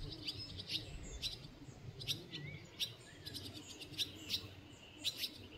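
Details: Barn swallow (Hirundo rustica) at Ribniki in the Drava valley on 22 June 2024 giving short, sharp high chirps, scattered irregularly about every half second, with a low rumbling background.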